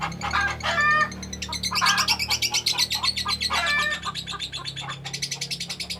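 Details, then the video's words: Long-running lovebird ngekek: harsh squeaky notes at first, then a rapid, rattling chatter that continues steadily to the end, over a faint low hum. "Love Bird ngekek durasi panjang"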